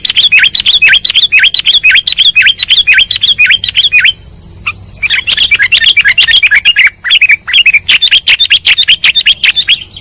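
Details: Sooty-headed bulbul lure sound for trapping birds: long stream of fast, repeated sharp chirps, about two per second, broken by one short pause near the middle, with a steady high whine.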